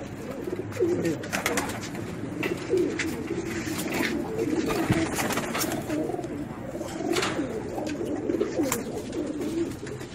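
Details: Racing pigeons kept with children give a continuous low murmur of cooing from several birds, with frequent sharp knocks and rustles.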